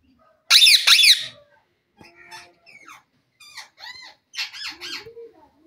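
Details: Pet green Indian parrot showing off its talking: opens with two loud, grating screeches, then a string of short, nasal, voice-like syllables in quick little bursts, ending with a soft squeak.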